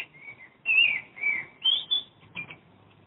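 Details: Common blackbird singing near a home in Madrid, recorded from a window: clear fluted whistled phrases with brief pauses, some notes sliding down, others rising higher toward the end.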